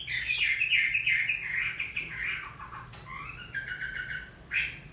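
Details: Near the end of moult, a Chinese hwamei sings in the rain, opening with a fast, loud warbled run that fades into quieter, varied notes, then a final bright burst.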